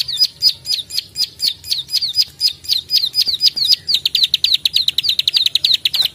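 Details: Plain prinia (prenjak sawah) giving its energetic 'klik' clicking call, kept as a master bird for training songbirds: sharp high clicks about four per second, speeding into a tighter, faster run after four seconds, with a faint low hum beneath.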